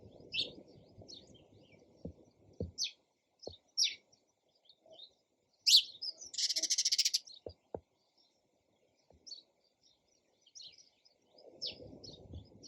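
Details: Sparrow chirping: scattered single tweets, then a rapid rattling chatter lasting about a second, with occasional low knocks and soft background hiss at start and end.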